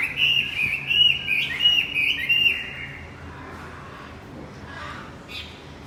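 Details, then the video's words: Javan white-eye song meant to prompt a non-singing male: about two and a half seconds of quick, high, rippling twitters, then near silence with a few faint notes. "Pancingan kicau wambi macet"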